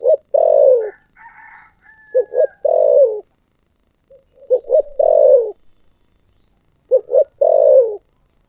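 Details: Spotted dove singing in the thổ sấm style. Three coo phrases, each a pair of short notes leading into a long falling coo. Faint higher chirps from another bird are heard between phrases.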